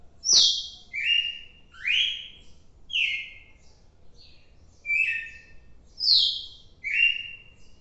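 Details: Red-cowled cardinal sings on 4 December 2023: loud, clear whistled phrases, high sharp notes dropping into rich slurred ones, repeated about every second with a brief pause midway.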